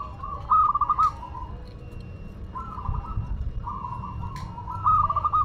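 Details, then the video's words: Madura local zebra dove song: rapid pulsed coo phrases that end in a sustained tone, repeated several times, while quieter cooing from other birds continues beneath. "Perkutut Lokal Madura Gacor"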